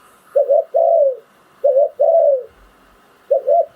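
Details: Ground decoy spotted dove, Thai phon liu tan song style: two crisp short coos and then a long, gently falling coo, heard twice in full before a third phrase begins.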